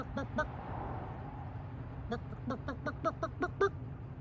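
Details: A spruce grouse, one of two in a mating dance in May 2023 at Wrangell-St. Elias park headquarters, Copper Center, Alaska, gives short sharp clucks, two then a quicker run of about eight, over a steady low rumble.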